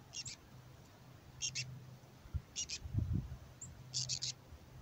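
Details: Black-capped chickadee female begging like a fledgling in a raspy voice ahead of nesting season, fed by her mate; brief harsh buzzy pairs and triplets of notes repeated about every second, with a low knock in between.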